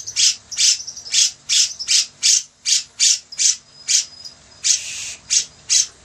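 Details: Grey-cheeked bulbul in energetic song, used as a master track: short grating squawks repeat at a fairly even pace, about fifteen bursts with one drawn-out rasp near the end.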